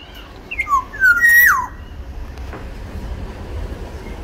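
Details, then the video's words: Large-bodied Black-naped oriole of the Sumbawa type giving one fluty whistled phrase: short slurred notes stepping downward, then a sustained high whistle ending in a sharp downward slur, over a low steady hum. "Siulan kepodang sumbawa body besar"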